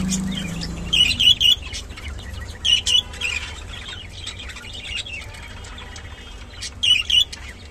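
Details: Rainbow budgerigars, kept birds, sounding short clusters of rapid chirped and warbled notes about every two seconds, with softer twittering between the bursts and a low rumble underneath.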